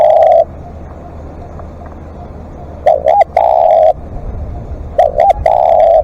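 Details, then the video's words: Live decoy spotted dove giving long calls: one coo ends, a quiet gap follows, then two phrases of a bent double note and a long, flat, low coo, with clicking noises. "เสียงนกเขาใหญ่ ต่อสดเรียกยาวๆ"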